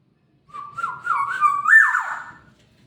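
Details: Black-naped oriole singing one flowing, mellow whistled phrase that wavers and climbs in small steps, peaks, then slides down, lasting about two seconds in quiet surroundings.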